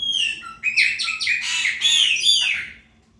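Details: Chopi blackbird ('preta fumaça' song) marking its territory with a loud, liquid phrase of rising and falling whistled notes and rich harmonic chatter, fading into a slurred ending.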